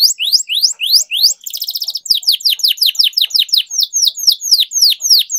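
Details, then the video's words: Canary singing a training 'ngerol panjang' long-rolling song: fast series of rising then falling sweeps, a dense buzzy trill in the middle, then steady repeated chirps about three per second. "Canary Singing Training, Kenari Gacor Ngerol Panjang, Pancingan Kenari Macet, Masteran Kenari Paud"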